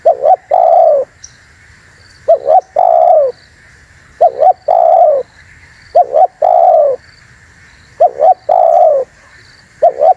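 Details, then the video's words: Spotted dove lure call for attracting wild doves: about five phrases, each two short quick notes followed by a long, low, falling coo, repeated roughly every two seconds over a steady faint high hum. "SUARA BURUNG TEKUKUR UNTUK PIKAT DAN PANCINGAN"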